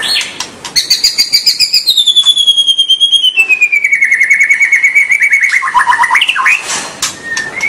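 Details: White-rumped shama (murai batu) song used to encourage young birds to sing long; a rapid pulsing trill slides steadily downward in pitch for several seconds, ending in quick rising chips and a short whistle.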